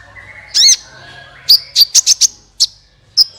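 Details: Sunbird calling, played to set other songbirds singing: a harsh squeaky burst, then a string of five sharp high tweets in quick succession, followed by two more spaced chirps.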